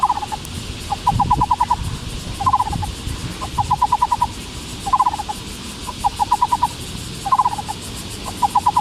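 Black-browed Barbet giving hollow, mid-pitched bursts of five or six rapid notes, each led by a short stuttered note and repeated about every two and a half seconds, over a soft background hiss.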